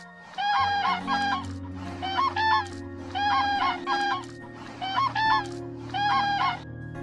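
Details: Common cranes in early spring during migration in Chojnowski Landscape Park, Poland, give their loud, rolling trumpeting mating call (clangor) in bursts about every second and a half, over a soft, steady musical drone.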